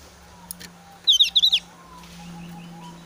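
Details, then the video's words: Javan grey-throated white-eye in breeding condition and highly excited, giving a challenging sound toward rivals with little whistling. A single quick burst of about five sharp, high chattering notes lasts half a second over a steady low hum and faint background chirps. "opior jawa gacor emosi tinggi"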